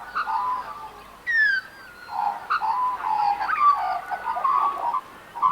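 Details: Australian magpies (Gymnorhina tibicen), several birds in urban Melbourne on a TV-series film set, carol in rich fluting overlapping warbles with mellow gurgling notes and bright whistled phrases.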